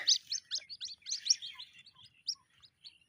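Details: High cheeping from white-breasted waterhen chicks that were caught and then released. A quick run of sharp peeps starts loud and thins out into fainter, scattered chirps. Faint low rustling sounds underneath.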